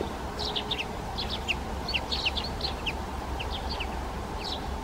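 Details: Brambling flock in winter, visitors from the north feeding in fields, beech woods and at feeders: a busy scatter of short high chirps and clipped notes from several birds over a low steady rumble.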